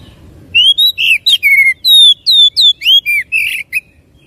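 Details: Oriental magpie-robin singing to prompt another bird into song: a fast, varied run of loud whistled notes, some sliding down, some rising then dropping, separated by brief pauses, with faint low background rumble.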